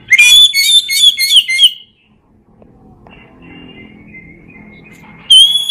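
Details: Oriental magpie-robin ngeplong song, used to train lazy birds: a loud run of quick, ringing whistled notes, a long quiet stretch with faint thin whistles, then a strong clear whistle starting again.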